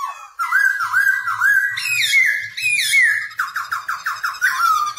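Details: Black-throated laughingthrush song delivered while dancing, used to coach young birds: wavy rolling whistles rising into loud slurred notes, then five or six quick clipped whistles repeated rapidly before a falling tail.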